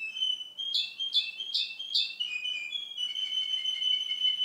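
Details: Male Russian canary, recorded two months after an earlier recording of the same bird, singing a loud whistled phrase: four ringing notes repeated about every half second, then a long steady trilled whistle, clear and bright.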